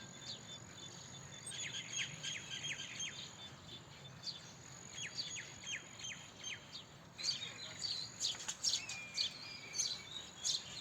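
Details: House sparrow chirping amid several birds: scattered high chirps early on, then a denser burst of rapid overlapping twitters in the second half, with a steady hiss throughout.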